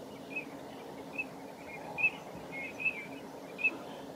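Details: Common redshank at Nosterfield on 18 March 2018 giving short, high piping notes, about one every second, over a steady low rumble of background noise.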